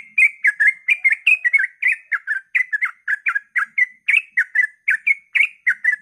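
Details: Sooty-headed bulbul singing at dawn in the rapid 'ropel' style, used to provoke other bulbuls into singing; quick, bubbly two-note chirps repeated densely and almost without pause for six seconds.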